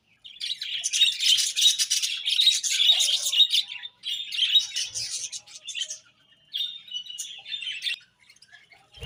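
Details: Morning chirping of pet budgies: dense, high-pitched chattering warble in long bursts broken by brief silences, with a few thin whistled notes near the end.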